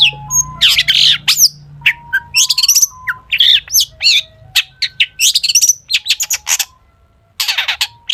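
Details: A mimicry-rich song of the long-tailed shrike, meant to spur other shrikes to sing: dense bursts of scratchy, buzzy warbling mixed with thin whistles and chirps, almost continuous, with a short pause near the end before another harsh burst.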